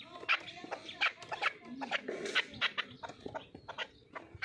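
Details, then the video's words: Chukar partridge calling: rapid clucking chuk notes in uneven bursts of two to three, about two per second, sharp and rather harsh. "Кабки Пайраҳа"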